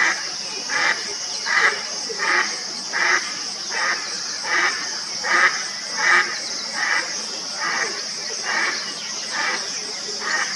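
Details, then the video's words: Indian spot-billed duck near Aurangabad, India, giving a steady run of harsh, rasping quacks, a little faster than one per second, over a constant high hum of crickets. "Spot Billed Duck Calling"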